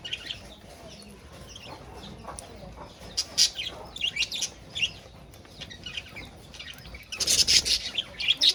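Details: Budgerigars housed in a cage with a rabbit keep up busy high-pitched chatter of scratchy chirps and warbles, building to a loud, dense burst near the end.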